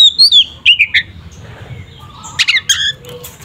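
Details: Oriental magpie-robin giving fighting song meant to rouse a rival's aggression: quick swooping whistles and rapid slurred notes, then a pause and a burst of scratchy, harsh chattering elements.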